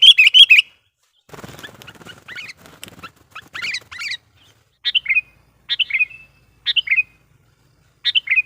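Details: Lure sooty-headed bulbul singing to excite and attract wild birds: an opening burst of rapid notes, then scratchy chatter, then clear three-note falling phrases repeated about once a second.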